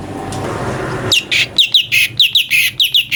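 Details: Brown-breasted Bulbul (cucak cungkok) tutor song for magpie-robins: after a second of low background rumble, a brisk series of bright, bending chirps repeats about three times per second.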